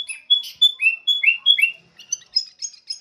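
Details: Sooty-headed bulbul song of bright, slurred whistles, each phrase swooping down or up and repeated in steady succession, ending in a string of higher, quicker chirping notes.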